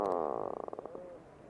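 A puffin gives a low, rattling growl, a quick run of throaty pulses that slows and fades over about a second. No other sounds.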